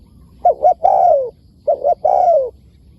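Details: Spotted dove, wild, answering a decoy: two close, loud phrases, each a pair of quick coos and then a long coo sliding downward.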